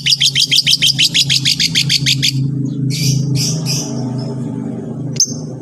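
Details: Long-tailed shrike song for training other shrikes to sing: a fast series of harsh repeated notes, then a few buzzy high phrases and one sharp click, against a steady low rumble.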